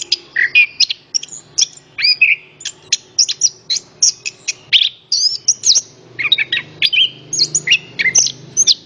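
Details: Orange-headed thrush song used to prompt other birds to sing: a dense, varied run of sharp whistled and chirping notes, rapid slurred phrases and repeated short bursts, nearly continuous over nine seconds, with a faint low hum beneath.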